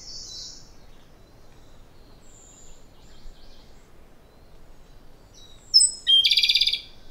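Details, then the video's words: Japanese robin (Larvivora akahige) singing its loud song: thin, very high whistled notes, then a loud, fast rattling trill near the end, over a faint background hiss. "Robin Japonês - Já ouviu o canto desse passarinho?"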